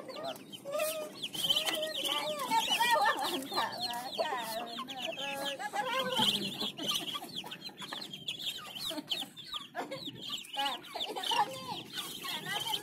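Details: Muscovy ducklings aged one week to one month peep constantly in a chorus of high, thin, downslurred notes during morning feeding.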